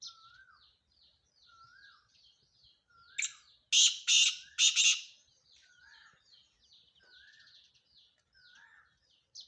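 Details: Male black francolin calling: one short note, then three loud, harsh, buzzy grating notes in quick succession in mid-clip. Softer chirping of small birds is heard before and after.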